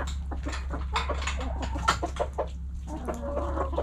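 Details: Backyard hens eating, clucking in short, choppy bursts of overlapping low notes over a steady low hum.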